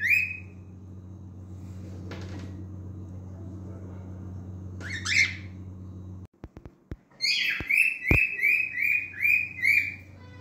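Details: After a stretch of background noise, faint calls, and a few sharp clicks, a male cockatiel breaks into a lively run of about seven quick whistled notes.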